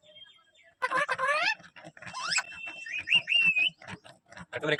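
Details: Talking ringneck parrot giving a greeting, its voice a burst of harsh, speech-like rising syllables, then a clear wavering whistle, over a steady patter of low soft taps.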